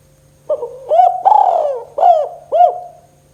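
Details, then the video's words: A spotted dove, locally tekukur, gives a 'kuk 2' call as a lure for reluctant doves: a soft opening note, then four more coos, the long second coo falling in pitch, with steady low hum underneath. "Suara Burung Tekukur KUK 2 Gacor Paling Ampuh Untuk Pancingan TEKUKUR Malas Macet Bunyi"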